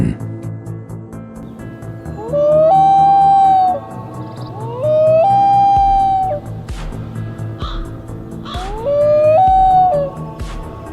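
Three long, mournful loon wails, each sliding up then holding a steady note, come a few seconds apart over a background of music.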